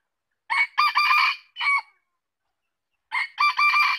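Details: Red junglefowl crowing twice: a short harsh opening note, a longer raspy broken middle phrase, then a clipped final note, each crow about one and a half seconds. The second crow starts after a pause of over a second. No other sounds.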